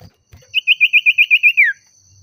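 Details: Oriental magpie-robin, known locally as sirtu or cipoh, singing agitatedly as if calling a rival: a quick series of nine clear whistled notes near one pitch, ending in a downward slurred note.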